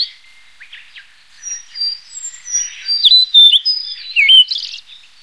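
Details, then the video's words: Blue-and-white flycatcher song builds from faint chattering to clear whistled notes, several level tones, then a loud slurred whistle and a sharp downward swoop followed by a buzzy rising note. "白腹琉璃(白腹藍姬鶲)/Blue-and-white Flycatcher"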